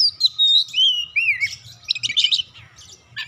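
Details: Oriental magpie-robin in full song to stimulate other birds: a long sweeping whistle gliding downward, then a fast jumble of chattering high notes and trills, fading toward the end, with low background rumble.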